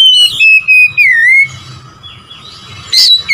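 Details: Oriental magpie-robin song meant to provoke rival birds. It opens with loud, punchy whistles and a long downward-sliding note, fades to a faint steady tone, then returns with a sharp bright burst.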